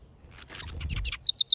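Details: Male house wren building a nest in a backyard: a burst of buzzy, scratchy notes followed by a quick string of loud, high, down-slurred chips.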